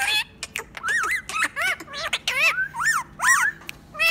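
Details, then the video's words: Ringneck parrot producing talking sounds: clear, looping whistled syllables that swoop up and down, mixed with short squeaky chatter, uneven in rhythm. "Talking parrot"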